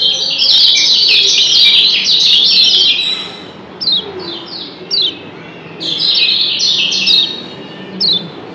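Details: Lombok yellow white-eye (kecial kuning), a double-chirp call type used as a lure to make listening birds answer. Several birds answer one another with dense, high, sharp descending chirps in bursts, then scattered single chirps.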